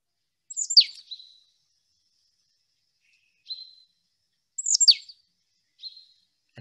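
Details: Marsh tit in wet, older ancient woodland in Warwickshire in winter gives two explosive, sneeze-like 'pitchoo' calls about four seconds apart, each trailed by a short, high buzzy note; otherwise quiet.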